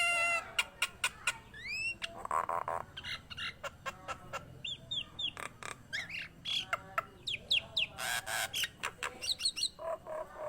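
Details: Nias hill myna in a lively, varied song of rising whistled slurs, clicks, buzzy bursts and loud squawks, delivered in quick succession with a short pause between each sound.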